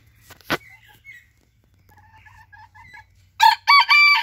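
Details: Sabelpoot rooster, one of two roosters kept together, crowing: a sharp knock and faint chirping birds lead in, then a loud, strained crow begins near three and a half seconds in choppy, ringing bursts.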